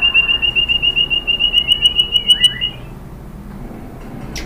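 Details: White-rumped shama song meant to provoke other birds: a steady, clear, pulsed trill of about three and a half notes a second, with a faint slurred whistle near its end, then quiet background hiss.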